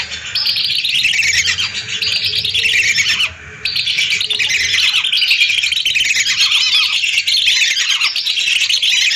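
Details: Hundreds of lesser whistling ducks heard as a lure; a loud, dense wash of high whistles rises and falls in repeated waves, broken by a single short gap partway through.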